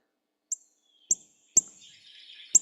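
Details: Northern Cardinal contact call: four sharp, high, metallic "tink" chips at uneven half-second to one-second gaps, like hitting a penny on a metal pail, signalling cardinals nearby; faint hiss behind the later notes.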